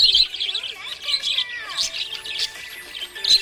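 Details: Budgerigar in a happy mood, chattering steadily with rapid buzzy twitters and short bright chirps, a few gliding whistled notes, and quiet tonal music in the background.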